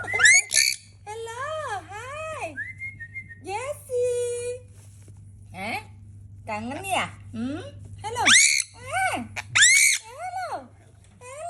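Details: A pet sun conure chatters indoors in swooping, whistled, speech-like syllables, some short and clipped, one held flat whistle, and several harsh high screeches, over a constant low electrical hum.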